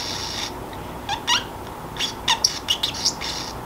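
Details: Sleepy Pacific parrotlet talking to itself indoors: a soft opening, then from the middle a quick cluster of scratchy, clicking chirps and squeaks in short bursts, all set against a low constant room hum.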